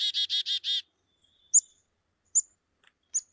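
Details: A Black-capped Chickadee gives a "cheeseburger" call and a "chickadee-dee-dee" alarm call: a quick run of five harsh, buzzy 'dee' notes, then three short, high, thin notes spaced nearly a second apart.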